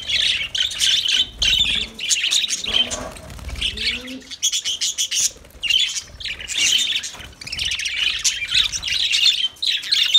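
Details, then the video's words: Lovebirds give a near-continuous stream of shrill, rapid chirps and squeaky twitters, with brief pauses between busy bursts of chatter. "Lovebirds Sounds Lovebirds Singing"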